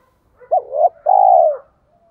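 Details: Spotted dove, giọng thổ pha đồng voice, cooing to provoke wild doves: a single low phrase of a sharp hooked note, a swelling middle, a short gap, then one long drawn-out coo gently dropping in pitch.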